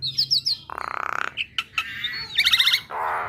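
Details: Female black-winged starling singing to get other starlings to respond: quick high chirps, a grating buzzy rattle, short squeaks, then a ringing trill and a final harsh rasp.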